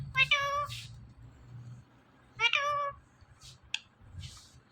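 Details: Indian ringneck parrot talking and mimicking words. Two clear, rich, nasal voiced calls with strong harmonics, each lasting about half a second, come about two seconds apart. Soft clicks follow, over a low background hum.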